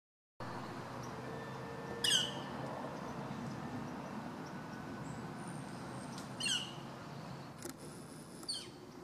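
Three loud, harsh, downslurred Northern flicker calls spaced a few seconds apart over a steady low rumble, with a faint thin whistle from another bird.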